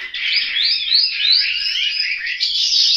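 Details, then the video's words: Short burst of Chinese hwamei song from a bird kept at home in Hanoi: smooth, sliding whistles woven into a continuous bright warble. "Họa mi"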